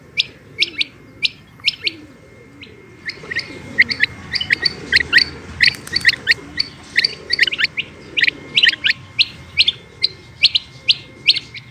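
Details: Female rain quail call: widely spaced sharp high chirps at first, then a dense, rapid run of clipped chirping notes that slows again near the end.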